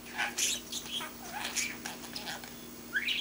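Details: Baby male budgie babbling as it learns to talk: a rapid jumble of chattering chirps, buzzy squeaks and warbled fragments with brief pauses, ending in a rising squeak, over a faint constant hum.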